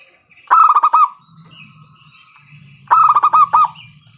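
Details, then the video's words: Loud-voiced local zebra dove meant to stimulate other doves to sing; two short bursts of quick, resonant staccato coos, separated by a two-second gap with faint background rumble and distant chirps. "PANCINGAN PERKUTUT LOKAL SUARA KERAS, bikin pada manggung"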